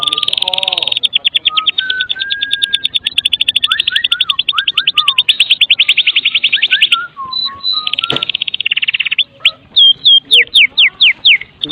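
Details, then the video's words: White-rumped shama from Medan delivering kretekan song, used to prompt other shamas to sing: sustained very rapid rattle with interwoven falling whistles, a sharp click near the end, then loud spaced downslurred notes. "Kretekan MURAI BATU MEDAN GACOR FULL ISIAN"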